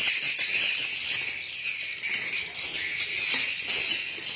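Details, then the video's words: Swiftlets calling inside a swiftlet house: continuous high, buzzy twittering from many birds, with a few sharper, brighter chirps standing out above the constant chorus. "SUARA ASLI BURUNG WALET DALAM RBW"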